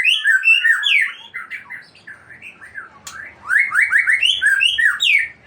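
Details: Aceh white-rumped shama unloading its stock of mimicked phrases: loud, rich slurred whistles and chattering notes tumble quickly, a brief quieter pause midway, then another burst of rapid rising and falling whistled notes.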